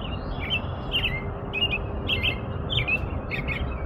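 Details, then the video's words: An American robin sings short, slurred whistled phrases roughly every half second, some with thin high-pitched notes on top, over a soft low hum. "impressionante canto do sabiá-norte-americano"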